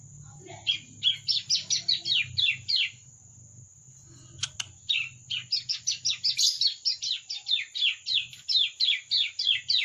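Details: Young bar-winged prinia learning to sing. It gives fast series of short, buzzy chirps, about three per second, broken by a pause midway. A steady high hiss and a low hum run beneath.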